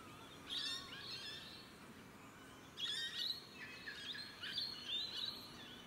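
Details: Rainbow lorikeets of Australia at evening, recorded with a 4K camcorder; a few sharp, raspy screeches in separate bursts, louder near the third and fifth seconds, amid steady hiss.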